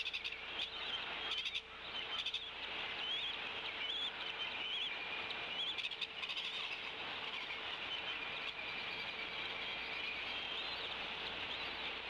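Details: Wild bald eagle mother calling at the Decorah nest at 07:39 on 16/03/31 while brooding a chick, before feeding it breakfast. A run of thin, high, short chirps comes roughly twice a second over steady hissing background noise.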